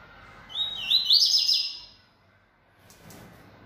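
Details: Single rich phrase from a feisty caged yellow-bellied seedeater: a rising whistle leads into about a second of rapid, sharply slurred high notes, then quiet with faint background ticks.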